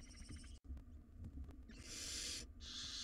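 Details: Nestling barn owls in a wild nest box pulling at a large rodent prize: a brief wavering squeal, a pause, then two long rasping hiss-screeches separated by a short gap, over faint low background noise.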